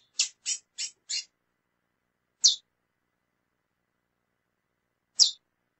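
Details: Female lesser seed finch calling repeatedly: a quick run of four sharp high chips, then two single chips roughly two and a half seconds apart, with no other sounds.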